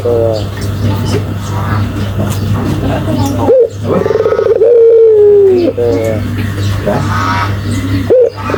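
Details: A Barbary dove gives a clear coo midway, a short upward note followed by a long purring tone that gently falls. Another rising note starts near the end, with soft chatter and a steady hum behind.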